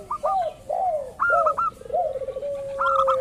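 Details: Local zebra dove lure recording meant to provoke rivals into calling: arched mid-pitched coos alternate with bursts of clipped higher notes, then a quick trill and a long level low tone.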